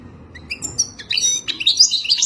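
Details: European goldfinch song for mating, aimed at teaching a captive goldfinch: a few scattered high notes building into quick, tinkling twitters and trills.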